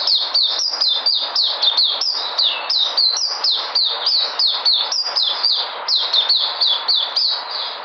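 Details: On 13 February 2020 a white-eye regaining energy sings a lively, unbroken string of high-pitched, slurred chirps, delivered rapidly and steadily throughout.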